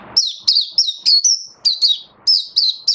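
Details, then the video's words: A caged Oriental white-eye sings a rapid run of high, thin, twittering notes, about ten in three seconds, sweet and slightly warbling, over a quiet background. "Mata Puteh Buka Sing"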